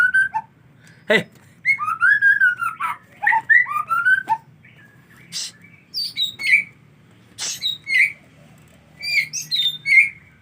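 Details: White-rumped shama in the rainy season around bathing time: varied whistled phrases sliding up and down, sharp clicks, and repeated brief chirps spaced about a second apart.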